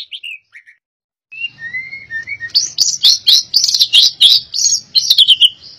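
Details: Albino white-rumped shama: a few short whistles, a brief pause, then soft slurred whistles building into a fast, loud stream of harsh chattering notes repeated several times a second.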